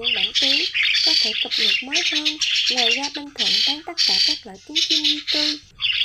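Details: Recording used to lure migrating starlings into traps. Rapid strings of short rasping squawks, some rising then falling, repeat throughout over near-continuous loud, hissing high chatter.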